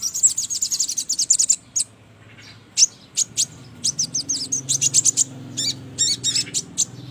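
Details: Crimson sunbird lure call for trapping: dense run of shrill, rapid chirps, breaking into irregular clusters of sharp high notes, with a soft low hum underneath.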